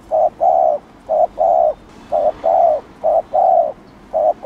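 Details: Spotted dove giving provocative coos meant to rouse other doves, a steady run of paired notes, each a short hoot followed by a longer drawn-out coo, about four pairs.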